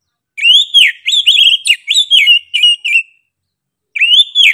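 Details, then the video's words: Oriental magpie-robin (kacer) singing in the persistent, sharp 'gacor' style: a run of loud, clear whistled notes sliding up and down, delivered in quick bursts, then a pause before another rising-falling whistled phrase. "KACER GACOR NGOTOT PEDES SUARA NYA GA DA AMPOON"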